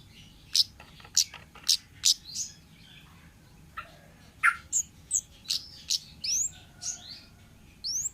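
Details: Wild orange-headed thrush, a forest bird used as lure song, giving sharp high clicking notes in a quick series, then a run of varied whistled downslurs and rising sweeps over faint low background hiss.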